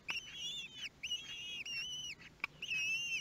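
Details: Common kestrel at a nest in Théding, France, on 23 May 2022, during the first feeding of newborn nestlings: long, quavering, whistled whines lasting most of a second each, separated by brief pauses, with a sharp click between calls.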